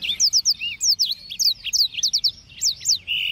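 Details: Blackthroat kept for singing contests delivers a rapid, rhythmic run of sharp down-slurred whistles and looping notes, ending in a sustained buzzy trill.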